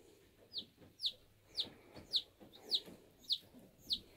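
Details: Bantam chick newly emerged from its egg, giving loud, high, sharply falling peeps in a steady series roughly every half second, with faint rustling between calls.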